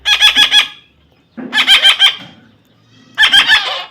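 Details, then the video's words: A young parrot being hand-tamed screeches in three bursts. Each burst holds four or five rapid, grating pulses, separated by short silences. "natural funny parrot sound"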